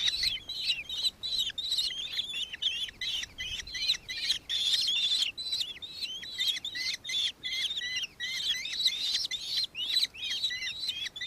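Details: Long sequence of shrill, rapidly repeated chattering notes from a nankeen kestrel in Victoria, Australia, recorded 4 December 2024, with notes at times overlapping into a dense chatter.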